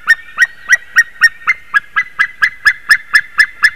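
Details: Haliaeetus albicilla calling at 06:26 on 28 March 2019, giving a steady string of about fifteen loud, clipped yelps at roughly four per second, evenly spaced and unbroken, with no other clear sounds.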